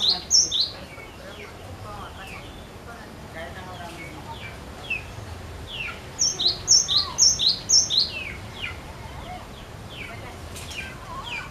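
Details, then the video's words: Cinereous tit singing persistently to prompt other birds, with bursts of loud high-low paired whistles at the start and a run of about five pairs midway, among many softer chirps from other birds. "Glatik Batu Gacor Ngotot Untuk Pancing Bunyi"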